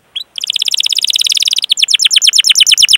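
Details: Canary song used as a training lure for young or silent canaries: a long rolling trill of fast, evenly repeated high chirped notes, about fifteen per second, shifting midway to slightly slower, rounder notes; clean, with no background noise.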